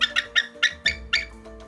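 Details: Captive female bald eagle at a wildlife center in southwest Illinois, unable to fly properly and not releasable, on 31 March 2021 at 11 am: a rapid series of thin, high chirping notes, about three per second, with a steady low hum behind.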